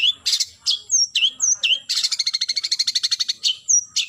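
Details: A long-tailed shrike calls out a rival with bright slurred chips, then a fast, even run of buzzy chattering notes in the middle, then more separated downslurred whistles.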